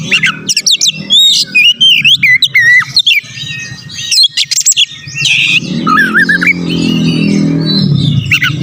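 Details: Oriental magpie-robin song used to provoke rival birds: dense whistled and chirping phrases for about five seconds, then a louder low droning hum with a few faint whistles.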